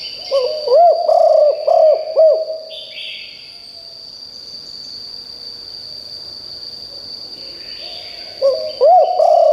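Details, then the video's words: Decoy spotted dove calling to draw in wild birds: a phrase of five low, rounded coos, several seconds of near quiet with a steady high whine, then a fresh phrase starting. "นกเขาใหญ่คับ birds - เสียงนกร้องแรงมากจนนกในป่าร้องตาม"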